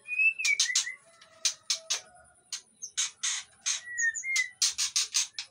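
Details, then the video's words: Breeding-condition white-rumped shama in an Indonesian aviary, luring other shamas: a brief whistle followed by many loud harsh rasping bursts in quick irregular succession, with a few short whistled notes. "MURAI BATU BIRAHI //MEMANCING MURAI BATU LAIN NGIKUT"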